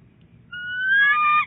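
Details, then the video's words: Female bald eagle calling early at the nest at Big Bear Lake in January while rolling eggs: a single strong, clear, high whistled call with stacked harmonics, rising slightly and ending in a brief chatter, over a low steady hum. "Mrs. Big Bear, early calling and egg rolling."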